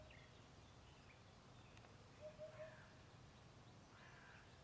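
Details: Eurasian hoopoe at Ljubljansko Barje, Slovenia, on 13 April 2024, one of two birds calling from separate trees, gives a soft, low, hollow 'oop-oop-oop', three evenly spaced notes, over background hiss and faint distant birds.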